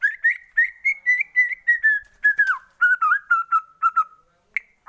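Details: White-rumped shama lure song to stimulate singing: a steady series of short whistled notes, about two to three per second, first slightly rising, then lower and falling toward the end.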